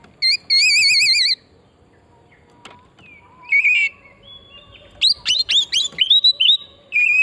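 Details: Oriental magpie-robin song used as a lure to get other birds singing: a warbling trilled whistle opens, then sliding whistles and a fast run of sharp rising notes and clear whistled phrases.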